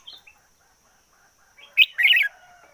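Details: Red-whiskered bulbul decoy bird singing intensely: a few faint chirps, then a short loud burst and a rich, warbled phrase near the end, with fading softer notes after it.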